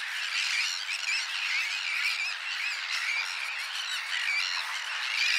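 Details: Sandwich terns newly returned to their breeding colony on the Wagejot, where they have nested for several years; a dense, continuous wash of harsh grating calls from many birds overlapping without a break.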